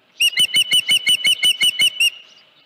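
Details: Osprey at the Dunrovin Ranch nest, 31 July 2018, morning of a headless fish delivery; ten sharp, loud whistled chirps evenly spaced across two seconds, then quiet.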